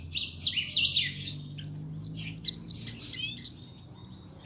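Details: Kept young European goldfinch, called pintón, opens with a tangle of fast twittering, then repeats clipped, sharp, high chirps roughly every half second, loud and clear over faint low hum.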